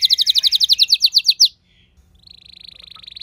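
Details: Pet canary kept indoors replying to another singer: a loud run of quick, bright chirps, a short silence, then a softer, rapid rolling trill.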